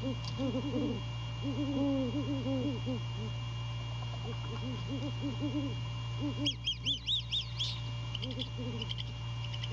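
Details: Mated pair of great horned owls meeting before dawn on January 15, 2022, at The Landings, Skidaway, with the male visiting the female to mate. Low, soft, deep hoots overlap in quick runs, then a high, wavering squeal. A steady low hum runs throughout.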